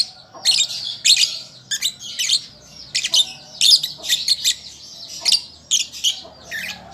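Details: Lovebird youngster learning to sing, producing repeated harsh, high-pitched squeaks and chatter roughly every half second, with uneven loudness throughout.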